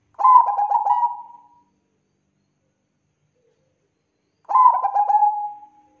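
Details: Bangkok-type zebra dove (perkutut bangkok) singing as a lure to prompt other doves to sing: two phrases of quick rippling coos ending in a drawn-out tone, about four seconds apart.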